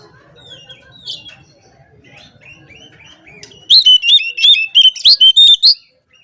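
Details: Oriental magpie-robin singing in the energetic 'ngobra' style used to call out opponents: quiet scattered whistles and low murmuring at first, then a loud two-second run of quick, ringing chirped notes that stops abruptly.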